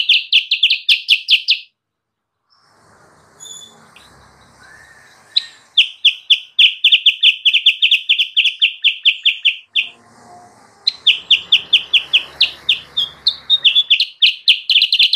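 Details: Wild-bird lure of sooty-headed bulbul: fast bursts of rapid, evenly repeated chirps, about four per second, separated by pauses with soft rustling and a few faint, thin notes.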